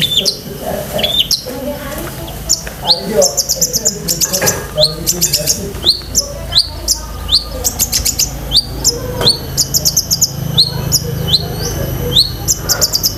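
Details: Long-tailed shrike in nonstop song full of mimicked phrases, for training pet shrikes: fast, dense sequence of high thin trills, clicking rattles and sweeping whistled notes, varied and crowded, with a low hum beneath.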